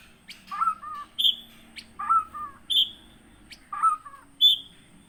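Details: White-rumped shama from Aceh, Gunung Leuser, wild-caught at Aih Ilang, Pining, in 2017 and kept on a farm. A short warbled phrase alternates with a high pure whistle, repeated three times, with sharp clicks between.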